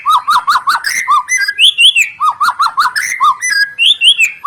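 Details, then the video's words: White-rumped shama song meant as a lure for other birds: runs of fast repeated dipping notes alternating with higher slurred whistles, steady and energetic throughout. "sekali dengar murai,trotoll,pastol ikutan bunyi,cocok untuk pancingan murai batu yg kurang efektif"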